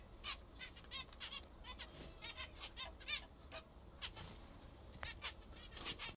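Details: Pet zebra finches eating what they most enjoy utter short nasal beeps, repeated in small irregular groups with brief pauses, over low background noise.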